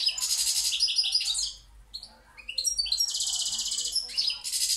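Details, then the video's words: Singing goldfinch (balcanica) from Pirot: a loud tinkling, buzzy phrase, a brief lull with scattered chips, then another rich rattling burst, and the song resumes at the close. "Carduelis balcanica Pirot Štiglić"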